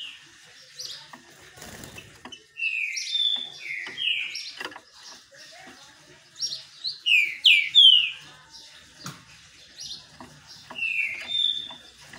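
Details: Captive green-winged saltator in song while bathing in the sun: series of bright whistled downslurs in clusters, a loud run near the middle and another phrase near the end, with faint background clicks.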